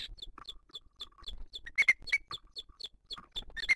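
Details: Booted eagle at its nest, filmed by a live nature camera in 2023 while the female feeds the chick and other birds attack her: short, sharp, high chirps repeated in quick irregular series, some thin whistled notes, clear and close.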